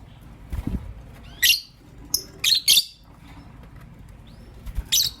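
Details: Morning chirping from two pet lovebirds, a green personata and a pastel white: harsh, high, rasping chirps in short clusters, with one thin upward-sliding note and a soft low thump.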